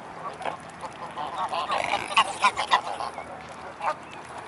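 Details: Mute swans in a flock, recorded at Blaues Wunder on the afternoon of 25 May 2016, give scattered nasal honks that build into a burst of four or five loud, quick notes, then a last single honk.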